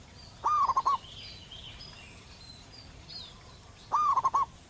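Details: Wild local zebra dove with a loud, long song recommended for training birds: two phrases three and a half seconds apart, each opening with an upward coo then a rapid series of short rounded notes. Soft distant chirping.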